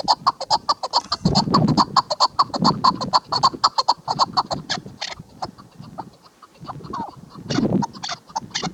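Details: Female chukar partridge calling: a fast run of short, sharp clucking notes, roughly two per second, uneven in timing. Heavier, denser bursts come near the start and end, with some low rumbling noise underneath.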